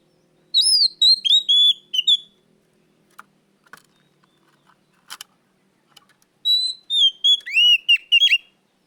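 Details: Kacer, the oriental magpie-robin, singing a loud lure song: two bursts of rapid, varied whistled phrases with upslurred and downslurred notes, separated by a few seconds of near silence with faint clicks.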